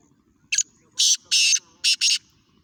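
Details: Black francolin calling in Sindh, Pakistan: a harsh, buzzy phrase of five grating notes, one short then two longer, a pause, then two more in quick succession, over quiet background.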